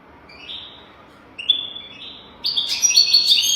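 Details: European goldfinch song used as a tutor recording for teaching young goldfinches to sing: thin high notes slowly rise in pitch, then a louder burst of tinkling, buzzy twitters fills the final second.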